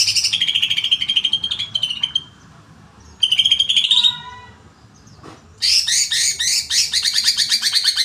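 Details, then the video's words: Agitated greater green leafbird song in several phrases: rapid high chatter, a stretch of steady whistled notes, a short tonal series, then dense buzzy chattering after a brief gap. "cucak hijau emosi."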